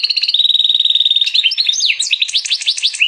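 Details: Hybrid canary x European goldfinch song opening with a steady, fast, evenly pulsed trill, then breaking into quick, jumbled high chirps and bright upslurred notes, loud and close.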